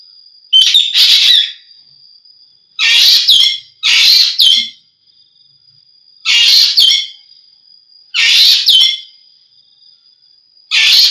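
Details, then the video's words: Green magpie (ekek geling) recorded for bird keepers to tutor their songbirds: loud harsh, chattering bursts of about half a second, often in close pairs, separated by pauses of one to two seconds, over a steady thin high whistle-like tone. "suara burung ekek geling"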